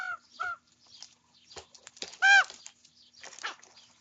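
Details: Common ravens, young birds squabbling over breakfast; two short paired croaks at the start, then one loud, drawn-out arched call, with scratchy rustling between.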